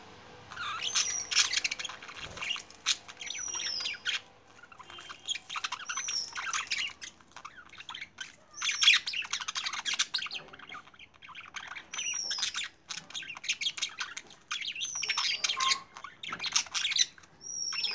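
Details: Budgerigar breeding pairs with eggs chatter busily, with scratchy warbles and clear rising whistles repeated every few seconds.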